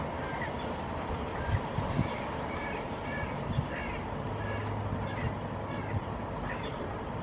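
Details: Hooded crow fledgling walking on rock in Helsinki, Finland, in June 2020, calling and gesturing at its parent before the female comes to feed it; harsh, nasal calls repeat roughly every half second to second over a steady low rumble.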